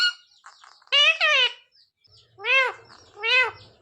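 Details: Pet talking parrot, shown being trained to say "mummy papa": a two-part harmonic, voice-like phrase, then two separate arched, nasal syllables after a pause, indoors and otherwise quiet.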